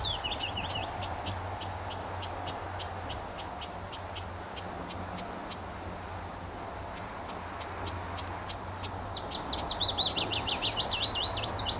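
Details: Willow warbler at RSPB The Lodge, Sandy, Bedfordshire, in June 2014, singing in windy weather: a long run of faint, evenly spaced high ticks, then a clear cascading phrase of downslurred whistled notes near the end, against constant wind noise.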